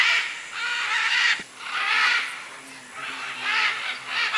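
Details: Macaws at a Peruvian clay lick in the Manu area, 2008, with many other birds present; three long, harsh, drawn-out rasping screeches, each about a second, rising and falling in loudness.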